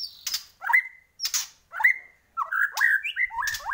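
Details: Bornean white-rumped shama in full song, giving loud downslurred and upslurred whistles separated by short pauses, mixed with sharp high clicks, building into a quicker run of varied fluting phrases.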